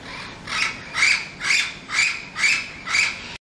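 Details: An Orange-winged amazon in the town of Lechería, Venezuela, gives six harsh, raspy squawks in a steady series, about two per second, with no other sounds.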